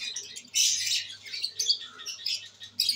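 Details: Albino red-eyed pet lovebirds, dated 5/09/23: a loud harsh squawk burst, then softer scratchy chatter and a final sharp squawk, all high-pitched, over a faint low hum.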